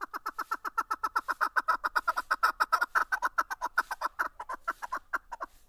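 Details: Caged chukar partridge (keklik), recorded in 2019, giving a rapid series of harsh, clucking notes, roughly six per second, held steady for nearly six seconds against a quiet, clean background.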